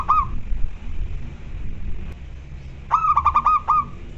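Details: Zebra doves kept at home answering each other: a short note, then a pause, then a rippling series of quick, clear cooing notes, with low background rumble.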